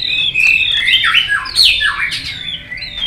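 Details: White-rumped shama contest singing, tail flicking: dense loud whistled phrases with bright rising and falling sweeps, two strong downward swoops midway, tapering to quieter whistles.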